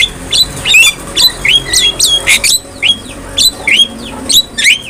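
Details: Black-winged myna song used to train other mynas, a steady series of clear whistled, upward- and downward-slurred notes interleaved with scratchy squawks, repeated roughly twice per second.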